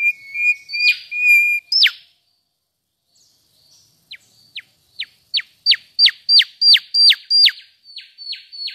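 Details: Mangrove whistler (Pachycephala cinerea) singing: a few steady clear whistles at the start, a brief pause, then a quickening series of sharp down-slurred whip notes, about three per second, clean and loud with no other sounds.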